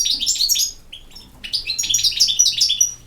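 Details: European goldfinch in campero song, bursts of bright, jumbled twittering, a short pause with a single lower note, then a denser run of high chirps and trills.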